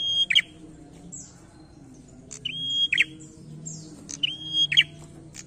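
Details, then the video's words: Challenging song of a prinia, loud and persistent: a high tick, a level whistle, then a tumbling buzzy flourish, repeated three times, with a few soft high chirps between phrases. "PRENJAK GACOR NARUNG"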